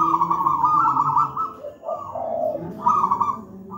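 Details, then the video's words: Zebra dove of local wild stock singing its full-voiced cooing song, a training master for young doves; rolling trilled coos in long phrases broken by brief lower notes, with a constant low background hum. "Masteran burung perkutut manggung gacor"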